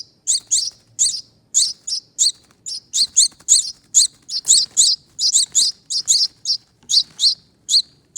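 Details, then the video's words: Baby finch chicks, a rescued pair born at a front door wreath, calling as they are fed: a steady stream of high, scratchy tweets, often paired, with brief pauses and soft rustling underneath. "Feeding Baby Birds"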